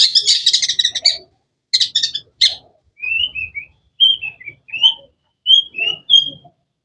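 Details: Long-tailed shrike opens with harsh rapid chirp bursts, then switches to clear, short whistled slurred notes repeated at regular intervals.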